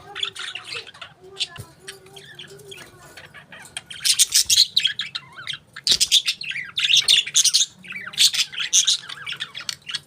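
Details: Parakeets chirping: rapid, scratchy high chatter in dense bursts, with a few softer low warbled notes early on and brief clicks between bursts.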